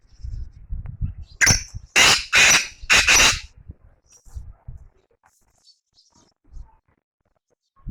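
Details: Black francolin calling: four loud, harsh, grating bursts in quick succession over about two seconds, with low rumbling background noise and faint voices before and after.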